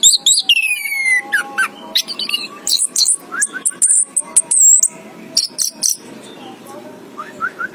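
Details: Orange-headed thrush, known locally as anis kembang, chirping: a rapid, varied run of high whistles, sharp chirps and falling slurred notes, with short pauses between bursts.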